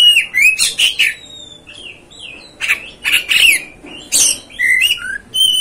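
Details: Oriental magpie-robin song used to enrage another magpie-robin: clustered harsh chattering bursts mixed with short whistled slurs, arriving in two lively groups with a quieter stretch between.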